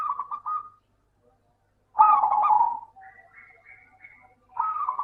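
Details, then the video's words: Song of a local zebra dove, meant to coax quiet doves into singing: a brief trilled phrase, a pause, then a rich bubbling cooing burst followed by faint fragments and another trill. "Suara burung Perkutut Lokal - PINTAR PANCING PERKUTUT MALAS BUNYI"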